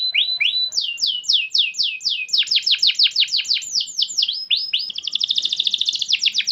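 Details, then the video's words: Singing canary meant to spur a domestic canary into song: fast series of high sweeping whistled slurs, then a dense rapid high trill of clipped repeated notes. "KENARI rumahan jadi ikut GACOR dengar SUARA PANCINGAN kenari gacor ini"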